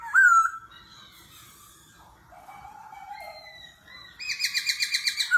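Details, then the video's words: Forest-voice laughingthrush song with continuous voice changes during a singing contest, 'kéo thuốc lào' style: a sharp whistle, long steady low and high tones, then a fast series of pulsed, ringing notes. "Khướu hót giọng rừng - hót đấu - đảo giọng liên tục - kéo thuốc lào"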